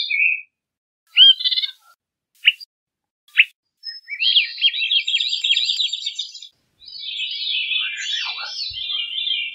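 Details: Veery with several short, separate call notes before launching into long, shimmering, spiralling song phrases that ripple downward in pitch.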